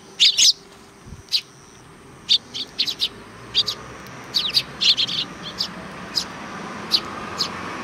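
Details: Sparrows at a Tenmangu shrine, July 2020, described as welcoming a visitor: a loud double chirp at the start, then a steady scatter of short high chirps, some in quick pairs, over a soft background hum.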